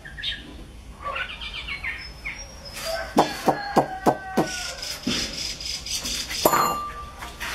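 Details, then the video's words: Chinese hwamei singing loudly, a series of sharp repeated notes about four per second, then varied whistled phrases including a long level whistle near the end, over steady background noise. "Hoa mi bông hót hay"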